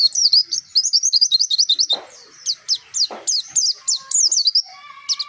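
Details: Dakun white-eye from Pacitan singing in the nembak style with mantenan and zipper witwit phrases: rapid high, sharply rising and falling chirps in quick runs, a short pause near the middle, then more spaced notes and a closing burst.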